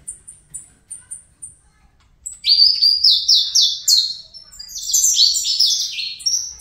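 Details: Young captive-bred saffron finch of the Brazilian fibra type singing: a run of thin, high, evenly spaced chips, then a loud burst of rapid, descending buzzy phrases that rise and fall through the second half.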